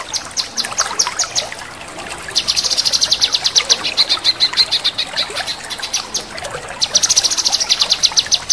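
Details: Male cucak kinoi in full rapid chattering song: fast runs of sharp, high, clipped notes in dense bursts, loudest in the middle and final seconds, over a soft background trickle of water.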